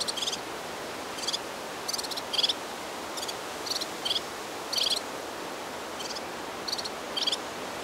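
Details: Red-fronted serin (Serinus pusillus), song.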